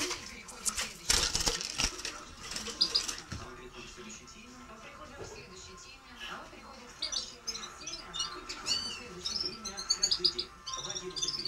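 Red-fronted serin giving a rapid, high, tinkling twitter in quick bursts, busiest toward the end, over a low murmur of background noise and possible voices.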